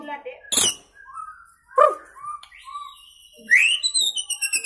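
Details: Young white-rumped shama past its juvenile plumage, sitting in one place and delivering isian phrases: scattered thin whistles and sharp clicks separated by pauses, ending in a fast rattle of high notes.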